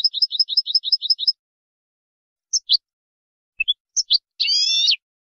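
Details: European goldfinch: a steady string of about ten high double chirps, then isolated sharp notes after a gap, ending in a rasping buzz; background silent.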